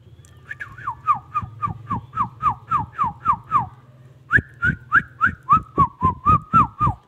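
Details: Ringneck parrot giving a fast series of short descending whistled notes, about three to four per second, pausing briefly then resuming with wavering rising and falling whistles, over a steady low hum.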